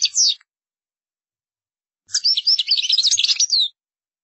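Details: Short high note group followed by a sustained stretch of rapid goldfinch twittering, mixing quick chirps, trills and downslurred whistles.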